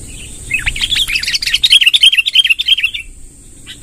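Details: Sooty-headed bulbul, a lively bird, giving a long rolling song: a fast run of bright, warbled chirps between mid and high pitch, about three per second, lasting some two and a half seconds, over a steady high hiss.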